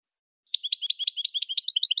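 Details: Saffron finch song used to educate captive jilguero campero birds: a brisk series of paired high chirps, about seven pairs per second, drifting upward into sharper, higher notes toward the end.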